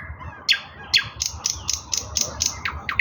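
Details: Song of an eastern nightingale on 16 May 2024, a string of harsh, evenly spaced broadband strokes ending in descending sharp notes, over noticeable background hiss.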